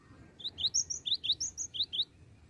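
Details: Cinereous tit (gelatik batu) in its 'bocor' song: a quick string of thin, high, slurred whistles alternating between two pitches, some notes rising, packed into about two seconds.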